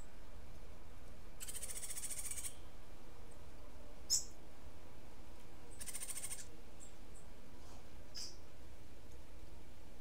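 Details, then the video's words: Cuban grassquit giving its unique martillito-style song. Two high, dry, buzzing trills arrive about four seconds apart, with brief sharp chips between them and a low background hum. "Tomeguin de la tierra Cantando UNICO (Estilo Martillito)"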